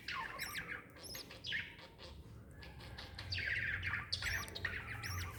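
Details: Lovebird mother with chick, 26 December 2021, producing irregular chirps and squeaky descending notes, busier toward the end, with a low hum behind.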